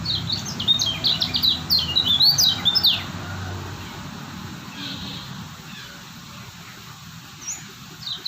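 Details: White-eye from Lombok, called kecial kuning, singing an energetic three-second flurry of thin, high, zigzagging whistled notes, then falling mostly quiet with only a stray chirp near the end.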